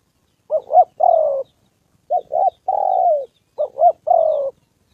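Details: Spotted dove used as decoy number 81 in Gia Lai, Vietnam, meeting a wild combative male and a female; three neat phrases, each two quick rising notes and a longer coo sinking in pitch, on a quiet background.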